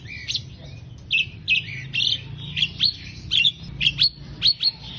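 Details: Master recording of Asian pied starling song for teaching songbirds, made of separate sharp whistled and squawking notes, some sliding downward, given roughly twice a second over a steady low background hum.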